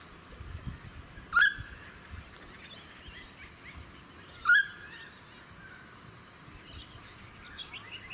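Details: Noisy friarbird calling in suburban Sunshine Coast, Queensland, in May 2018. Two abrupt, rasping notes land about three seconds apart, with faint chatter of other small birds and wind in the background.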